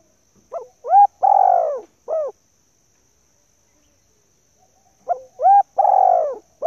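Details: Female spotted dove calling, used by bird keepers to stimulate and train male decoy birds; loud, clear cooing phrases of two short arched notes, one long drawn-out coo and a final short note, with the phrase repeated after a pause of about four seconds.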